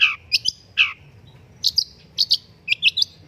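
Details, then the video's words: Long-tailed shrike singing as a master song used to prompt other birds to sing: harsh, buzzy notes alternating with sharp high chirps in short bursts, about ten phrases over three seconds, quiet background. "BURUNG PENTET GACOR - MASTERAN BURUNG CENDET - PANCINGAN SUARA PENTET"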